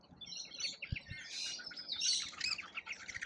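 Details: Lorikeets feeding at a feeder in Australia, a crowd of birds giving high, rapid, overlapping shrill chirps and screeches with no pauses, plus a couple of low thumps.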